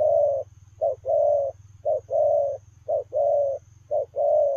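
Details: Steady Lèo rồng cooing by a running spotted dove: four or five clean pairs of a short clipped note and a longer level coo, evenly spaced, with a quiet low pulsing hum between phrases.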